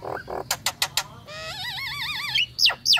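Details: Female Nias hill myna in breeding condition calling the male: harsh clicking bursts, then a loud wavering warbled whistle that rises and falls several times, ending in sharp rising squeaks.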